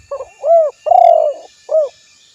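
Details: A spotted dove's low coo sequence: quick opening note, a smooth arched coo, a long purring coo and a short last coo, clear against a quiet background.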